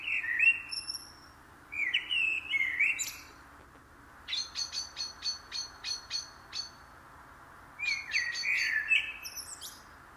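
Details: Common blackbird (Turdus merula) singing: low, mellow warbled phrases followed by a run of high, thin squeaky notes, repeated twice with brief pauses between.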